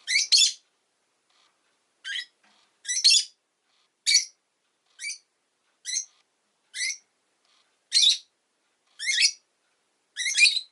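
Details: Steady series of short, shrill, buzzy chirps from a rosy-faced lovebird, about one every second, varying in loudness, with no other sounds.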